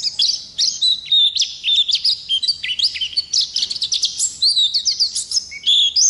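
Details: Long, continuous rolling song of an Oriental white-eye (ngalas type): varied high warbling with clear sustained whistles mixed into rapid bursts of chirps, delivered without a break.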